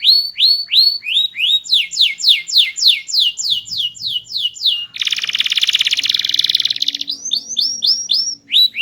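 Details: Canary song, loud, sweet and varied from a small-bodied bird, used to prompt other birds to sing: repeated rising whistled sweeps, then a long dense buzzy roll, ending in quick upward whistles.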